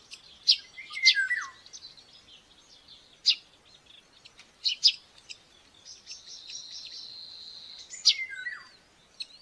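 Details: Buzzard chick behaving aggressively while being fed breakfast at a nest in Tiszalök, Hungary, 5 May 2024: sharp falling mewing squeals near the start and end, with other birds' chirps and a long whistled note between.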